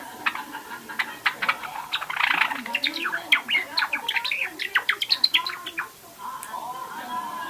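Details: Java sparrow kept at home, roughly two and a half months old, rehearsing early song (subsong): a rambling mix of clicks, scratchy buzzes and soft rising-falling warbled notes, quickening into dense chatter, then fading, over recorder noise.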